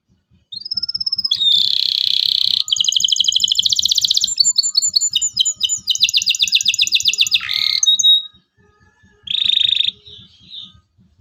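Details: Local canary in full 'cuit cuit' song, used to teach young birds to sing. A rising whistle opens a long run of buzzy trills and rattling pulsed phrases, then a short buzz; faint rhythmic low clicking throughout.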